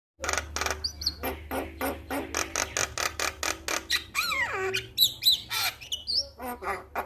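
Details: Male Javan myna on a training recording meant to set other mynas singing: a rapid run of dry, harsh clicks about four per second, then descending whistled slurs and scattered sharp chips.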